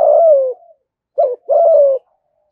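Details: Spotted dove luring call meant to provoke fighting: a long low coo fading downward, a pause, then a short pulsed note and another smooth, slightly falling coo.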